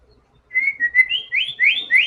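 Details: White-rumped shama in active song showing its learned material: a brief string of pure, sliding whistles climbing higher toward the end.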